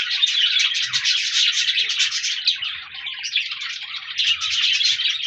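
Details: Flock of pet budgerigars on 14 January 2024, continuous overlapping chirps and warbling chatter, about three rapid notes per second, with faint low bumps in places.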